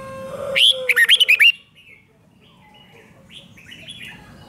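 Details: Red-whiskered bulbul, a caged-bird song used to stir up listening birds: one rapid phrase of about six bright, looping whistles lasting under a second. Softer chirps from other birds follow in the quieter remainder.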